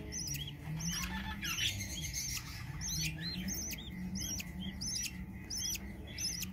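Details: A mother budgerigar (Melopsittacus undulatus) with her young chirps and chatters in quick, scratchy bursts of high notes.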